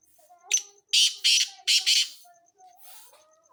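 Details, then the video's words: Black francolin, known in Sindhi as kale teetar, calling: a single harsh burst followed by four loud, grating, broadband notes in quick succession, with faint tonal hum and a steady high ticking in the background. "Black Francolin Voice Sindhi kale teetar Ki awaaz"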